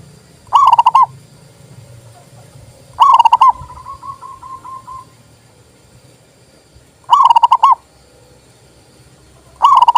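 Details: Zebra dove, a local perkutut, singing as a training lure to spur silent doves to sing: rolling, throaty trilled coos made of quick pulses, about half a second to a second long, repeated every three to four seconds over a quiet background.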